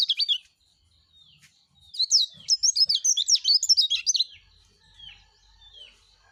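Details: Energetic song of a yellow-breasted white-eye. A brief high twitter is followed by a dense two-second burst of sharp warbling notes, then a few thin, falling whistles trail off.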